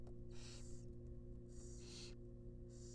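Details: Long, loud screechy hisses from wild barn owl young in a nest box at a rabbit feeding, each lasting about half a second, with a constant low drone behind them.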